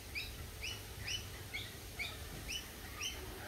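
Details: Lorikeet calling: a short bright chirp with a downward slur, repeated steadily about twice a second, each note ringing with a higher overtone, over a low steady hum.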